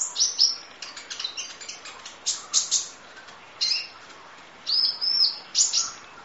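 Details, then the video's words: Kolibri ninja sunbird training song: scratchy high twitter at first, then isolated bright chirps and a longer flat whistle after pauses of about a second. "Audio Master Masteran Kolibri Ninja Full Isian Nembak Durasi Panjang Kicau Burung"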